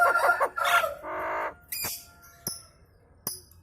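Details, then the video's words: Nias hill myna giving kemrewek chattering that gets other birds calling along: loud harsh harmonic bursts, then a sustained buzzy note, followed by sharp isolated clicks and a faint thin whistle. "BURUNG JALAK NIAS KEMREWEK BIKIN BURUNG LAIN IKUT BUNYI"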